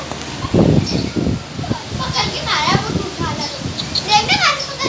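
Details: Parrot talking while eating: short raspy, speech-like syllables and rising-falling whistled inflections, with crunching and rustling of food underneath throughout.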